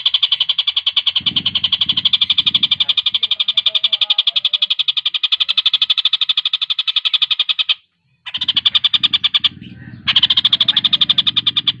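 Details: Javan cochoa, played to tutor contest birds, pours out a dense, fast trill of high notes, pausing twice briefly, with low muffled background noise in places.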